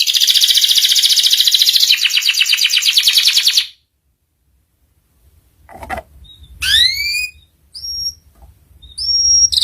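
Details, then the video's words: Master canary song meant to teach young canaries the ngeriwik style: a rapid buzzy trill for nearly four seconds, then silence, followed by scattered rising whistles and short clipped notes. "PANCINGAN SUARA KENARI PAUD CEPAT BELAJAR BUNYI NGERIWIK"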